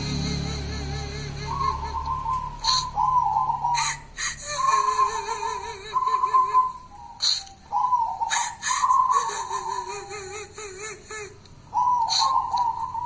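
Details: 'Kuntilanak' zebra dove of local wild stock sings a long run of bubbling, wavering coos broken into short bursts, with frequent loud clicks and rattles in between.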